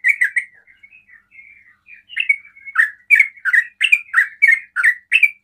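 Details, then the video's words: 'Ropel' song of a sooty-headed bulbul, used to provoke neighbouring bulbuls to sing; soft, drawn-out warbles at first, building into strong, rhythmic chirps about three per second. "TRUCUKAN ROPEL PANDAI BIKIN TRUCUKAN LAIN TERPANCING BUNYI"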